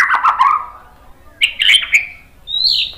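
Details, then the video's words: White-rumped shama song meant to provoke other birds to sing: low warbled whistles, a pause, then bright twittering phrases and a final high sliding whistle. "SUARA MURAI BATU Untuk Memancing EMOSI jadi NYAUT GACOR BONGKAR MATERI ISIAN | PANCINGAN MURAI"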